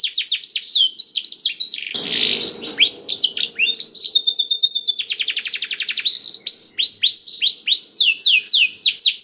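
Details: Canary singing energetically to spur silent canaries to sing: continuous fast trills and repeated chirps with varied swooping phrases and a brief harsh buzzy burst near the start, loud and bright.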